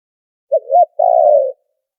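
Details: Noise-filtered lure call of a spotted dove for trapping: a two-part opening of quick low hoots followed by a drawn-out, slightly vibrating coo that eases lower, with no other sounds.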